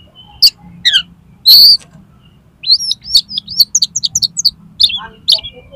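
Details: Oriental magpie-robin (kacer) singing, a recording meant to tutor and prompt contest kacer; sharp high notes and a harsh burst, then a fast run of about a dozen bright, rising whistled chips, with a low background hum.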